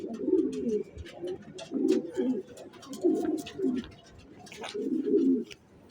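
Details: Deep rolling coos from a racing pigeon, four main throaty phrases spaced about a second or more apart, each warbling and uneven, with light tapping and shuffling sounds around them.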